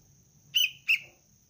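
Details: A young sooty-headed bulbul, trained as a luring bird, utters a loud double chirp: two sharp, slightly descending notes in quick succession, with a steady faint whine underneath.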